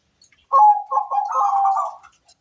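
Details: Zebra dove of a local strain delivering one rolling coo phrase, a clipped opening note followed by a rapid burbling series that levels into a sustained trill, then silence.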